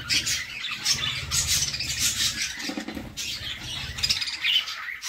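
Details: Budgie chicks begging in the nest box as their mother feeds them, harsh rasping pulses swelling and fading, with low rumbling scuffles of movement underneath for the first four seconds.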